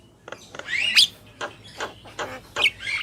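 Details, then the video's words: Black-winged myna pair, male and female; rasping noisy notes alternating with short sharp upslurred whistles, irregular, over faint low hum. "Jalak Kebo Gacor | Burung Jantan dan Betina"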